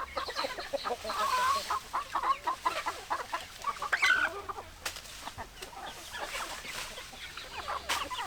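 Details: A flock of chickens clucking, rapid overlapping clucks that swell in the first four seconds and then fade into quieter scattered calls, with a few sharp knocks.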